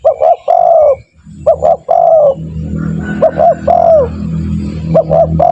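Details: Spotted dove calling vigorously, played as a lure to train other doves to start calling quickly: two-part cooing phrases with short notes leading into a longer falling coo. The phrases come in four groups, with a low rumbling hum in the middle.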